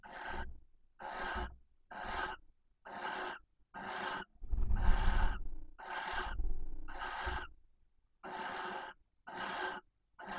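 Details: Barn owl pair mating at a nest box in Cabañeros National Park, Spain, the female in a submissive posture calling intensely for the male; harsh broadband hissing screeches about half a second long, repeated rapidly, with some longer louder bursts and low thumps.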